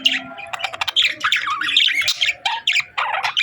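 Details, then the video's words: Several budgerigars, described as happy parakeets, chattering together: dense, busy warbling with squeaky chirps, buzzy notes and short squawks overlapping almost without pause. "Budgies Chirping Sounds"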